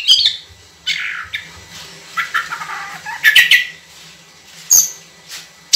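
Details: Oriental magpie-robin in vigorous song, with long, clear 'tembakan' bursts: scattered whistled and chattering phrases between quieter gaps, plus faint low hum and background noise.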